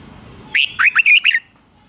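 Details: Challenge song of a decoy red-whiskered bulbul, meant to provoke rivals into approaching and fighting. One bright phrase of five rapid, slurred whistled notes under a second long, over a faint steady hum.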